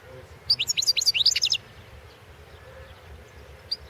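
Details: European goldfinch of the Balkan form recorded for a world goldfinch song championship in 2016: a quick run of bright, high twittering notes lasting about a second, then near silence with one more short note near the end.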